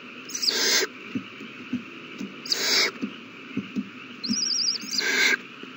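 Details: Owlets begging during a feeding on 27 March 2020 give three loud rasping hisses, roughly two seconds apart. A high, wavy trill sounds near the end, and soft ticks sit under a constant hum.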